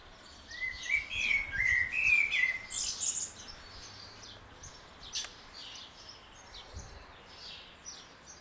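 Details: Common blackbird in a garden in the morning, one of a pair that returns each year: a brief mellow whistled phrase followed by high twittering notes, then quieter background with a low steady hum.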